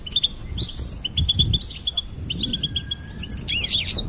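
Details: Singing goldfinch delivers a rapid string of clear, high chirps and quick rising-falling notes, with a thin drawn-out whistle midway and a busy trill at the end; low background noise underneath.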